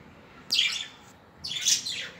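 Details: Pet budgerigars, 2021: two bursts of harsh, high chirping about one second apart, the second more drawn out and warbling, against a quiet indoor background.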